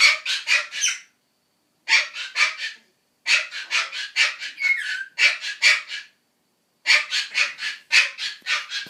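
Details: Pet Ducorps's cockatoo (Cacatua ducorpsii) giving harsh, grating screeches in quick bursts of four to six, with short pauses between bouts.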